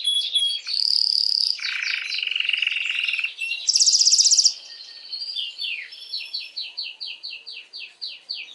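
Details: Canary song to stimulate females for mating, made of varied tours: a sharp high trill, a lower buzzy rattle, a very high rattle, then a run of quick descending slurred notes.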